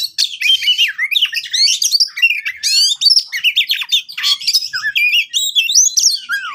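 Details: Oriental magpie-robin song used as a lure to make a reluctant bird sing: a continuous, varied stream of loud whistled phrases, rising and falling slurs, sharp chattering notes and buzzy trills with barely any pause, clean background.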